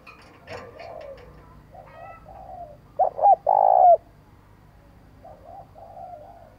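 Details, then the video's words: Spotted dove cooing, used to train decoy birds to call quickly: a loud low phrase of two short hoots and a long drawn coo ending in a slide, with softer distant coos before and after it. "Tiếng Chim Cu gáy Gọi Giọng Sát Bổi - Kích Bổi Tập Chim Mồi Nhanh Gáy"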